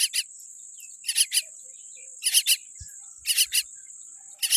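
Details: Tiny baby common myna born with a weak beak gives harsh, raspy calls in bursts of two or three, roughly once a second, over a steady high insect drone.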